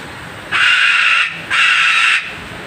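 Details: Very angry parrot giving two long, harsh, buzzy screeches about a second apart over a steady background hum.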